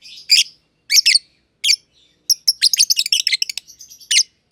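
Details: A pair of friendly lovebirds, green personata and green pied personata, in an aviary. Loud paired chirps at first, then a dense, rapid chatter of shrill notes, with a final strong chirp.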